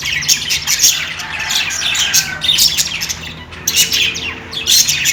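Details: Budgerigars at play, with overlapping scratchy chirps and warbled chatter running almost without a break, over a faint low hum.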